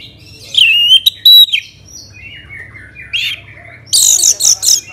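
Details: Song of an orange-headed thrush, played to coax other birds into singing, Bali: loud clear whistled phrases with sharp upslurs, softer warbled notes in the middle, ending in a run of harsh, bright rapid notes; faint hum beneath.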